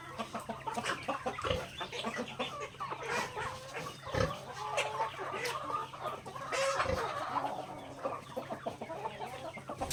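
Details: Backyard chickens pecking grains during feeding time, many overlapping clucks and chirps with several loud knocking thumps, steady low hum in the background.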